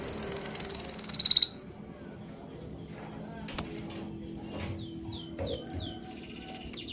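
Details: Birds chirping: a loud, high, steady whistled note lasting about a second and a half, then only faint scattered chirps and quiet background.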